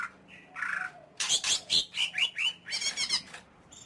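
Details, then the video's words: Greater green leafbird song of harsh rasping notes followed by a quick series of rising and falling whistled slurs and a chattering run. "Suara Burung Cucak Ijo"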